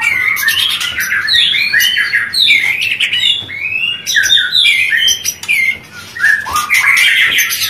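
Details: White-rumped shama mating song, used as therapy to stimulate breeding: dense, chattering stream of sharp chirps, squeaky slurs and quick whistled flourishes, nearly continuous throughout.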